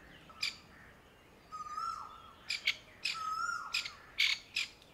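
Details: A Grey francolin mother in India, panicking over her newborn chicks in summer heat among dry leaves, gives sharp, scratchy alarm chips in irregular bursts, with thin drawn-out whistles and higher wavering notes between them.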